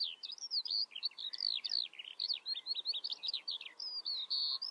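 A Eurasian skylark pours out a fast, unbroken stream of high, chirruping and trilling notes, varied and tumbling, with faint background hiss.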